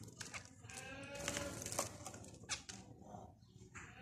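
Zebra finch giving nasal, buzzy notes in quick, irregular bursts over a low background rumble.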